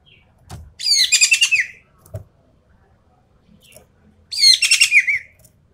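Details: Javan pied starling singing in the full tembakan style: two harsh, buzzy bursts of rapid stacked chattering notes, each about a second long, ending in a falling slurred note, separated by a quiet gap with faint knocks.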